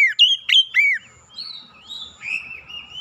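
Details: Oriental magpie-robin lure song to prompt other birds to sing: three loud whistled notes with sharp downward slurs, then long, soft, gently rising whistles.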